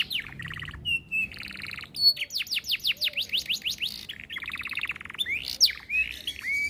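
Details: Canary, a domestic songbird, singing in the rich 'cengkok mewah' style as a tutoring recording: high whistled notes, a run of rapid descending sweeps, dense buzzy trills and bright chirps, varied and nearly continuous.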